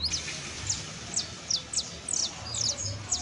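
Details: Saffron finch juvenile, called canario basto, gives quick, thin descending chirps at irregular intervals, some doubled, against faint low background noise.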